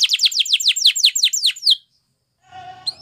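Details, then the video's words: A canary sings a fast Spanish Timbrado-style trill of about ten high, down-slurred notes in under two seconds, then pauses; a faint low hum follows. "Spanish Timbrado Song"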